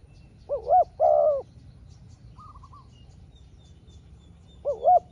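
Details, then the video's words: Spotted dove answering a rival wild dove with a smaller voice, the two exchanging calls one at a time. Two full coos open, a soft higher warble follows, then a lone coo after a pause. "เสียงนกเขาใหญ่ เจอนนกป่าเสียงเล็กคูดีคูสู้กันอยู่นานกว่าจะติดแลกกกันคนละทีทีีลุ้นมันเลย"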